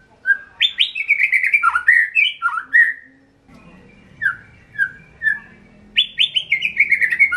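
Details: White-rumped shama, a caged songbird in Indonesia, singing rich falling and rising whistles, a pause with soft background hum, a few short downslurred notes, then another burst of loud varied whistling.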